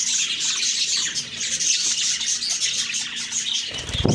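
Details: Budgerigars chirping on a morning of October 2, 2023, a dense, continuous warble of high, twittering notes from several birds, ending in a brief low thump.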